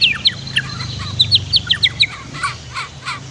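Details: Master training song of a white-rumped shama, paired with a flowing river: a rapid string of sharp, bright whistled notes and chips, then softer scattered notes, over a low continuous water rush.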